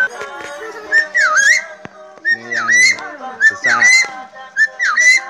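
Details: Helmeted friarbird (cucak irian, koak kaok) whistling on and on while teased; repeated whistled phrases with a swooping dip then rise, each trailed by harsh raspy bursts, about every second, over a faint hum.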